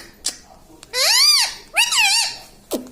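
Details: Pet parrot imitating speech indoors, saying words like sita ram: two drawn-out arched harmonic syllables, one rising then falling, with short clicks around them.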